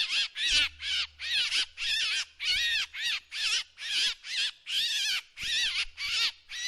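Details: A drongo on a decoy recording gives a steady series of rasping, wavering calls, about a dozen notes, each buzzy with a slight rise and fall, over a faint low hum.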